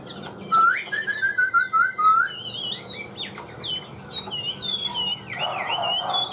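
A Chinese hwamei sings loud, clear whistles: a rising slur, a run of quick repeated notes, then varied high looping phrases, with faint background noise.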